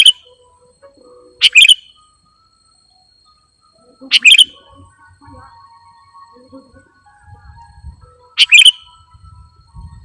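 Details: Sooty-headed bulbul lure call used by bird trappers: short, sharp, bright chirp bursts at roughly 1.5, 4 and 8.5 seconds, each a quick cluster of high notes, separated by quiet gaps with faint low rumbling underneath.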